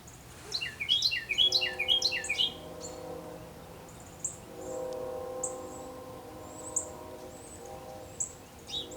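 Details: A Carolina wren sings at 7:51 am on 10 November 2019 in southern Kentucky: a loud, rolling burst of about five quick repeated phrases in two seconds, then thin high chips from other birds over a steady low hum.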